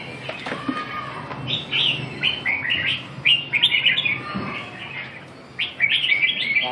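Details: Caged red-whiskered bulbul calling while hopping around its cage; quick chirpy, warbled note clusters with short gaps, plus faint thumps and low room noise.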